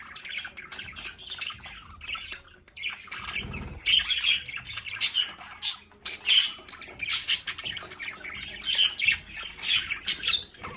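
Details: Pet budgerigars in their home play area, chattering together: dense warbling chirps and squeaky notes around the upper mid range, with brief louder bursts, overlapping calls from several birds and some low background thumps.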